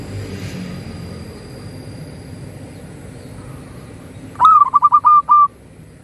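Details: Zebra dove, local bird, sings to stimulate quiet doves: after several seconds of faint background hiss, one brisk phrase of about six rapid cooing notes, choppy at first, then two longer steady tones.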